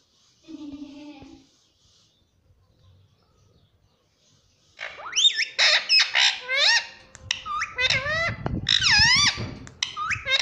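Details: Green ringneck parrot, a talking rose-ringed parakeet kept as a pet and said to say "mummy papa": a low human voice briefly, a pause, then a rapid run of sharp, rising, squeaky parrot syllables and harsh squawks.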